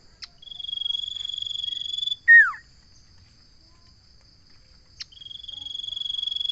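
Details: Common iora song: a long, even, high trilled whistle held for almost two seconds, then a loud clear note sliding downward, and after a pause the sustained trill begins again; a faint steady high-pitched hum continues in the background.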